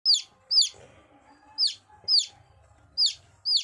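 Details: Domestic chicken chicks peeping: sharp, high, downward-sliding peeps given in an uneven series of about two per second, each call brief and bright, over a faint low hum.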